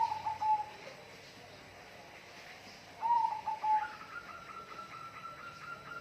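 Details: A bird gives a whistled, wavering phrase at the start and again after three seconds, followed by a long, steady, slightly higher whistled tone held for about two seconds, over background hiss.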